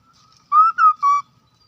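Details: Hwamei lure song: a short phrase of three clear, fluty whistled notes, the first gently rising, the second falling, the third steady, delivered in under a second against near silence.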